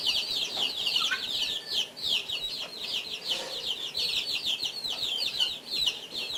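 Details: Three guinea fowl eating breakfast; a dense, continuous stream of rapid, high, thin chirps, each short and sliding downward, overlapping one another with hardly a pause.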